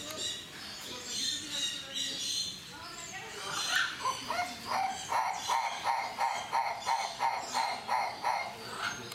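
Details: Livingstone's turaco (Tauraco livingstonii) giving a steady series of harsh, croaking notes, about three per second, after a stretch of mixed background noise and possible voices.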